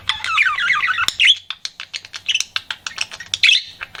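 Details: A pet budgie flirting gives a burst of wavering warbled chatter, then a run of sharp clicking chirps spaced a few tenths of a second apart, with a faint steady hum underneath.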